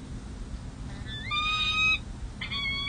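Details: A peregrine falcon at the San Jose City Hall nest in May 2024 while four six- and seven-day-old chicks are fed. One drawn-out, level, nasal wail is followed by a second rising one, over a faint hum.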